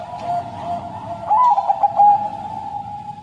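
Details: Bangkok crossbred zebra dove, caged, with a long, sad-sounding song. One quick, bubbling burst of staccato coos rises above a continuous droning chorus of doves.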